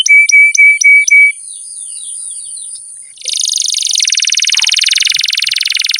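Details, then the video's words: Canary song from a long masteran recording for coaching young birds: a few flat whistled notes with clicks, a faint twittering pause, then a loud, fast buzzing trill that runs to the end. "MASTERAN KENARI GACOR PANJANG"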